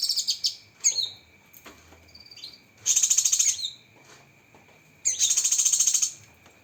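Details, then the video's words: Cucak kinoi leafbird giving sharp 'tembakan' song: clipped whistled notes and slurs, then two bursts of very high, fast, rattling trill about two seconds apart, with a thin steady whine in the background. "Masteran Burung Cucak Kinoi Full Isian Tembakan Pedas"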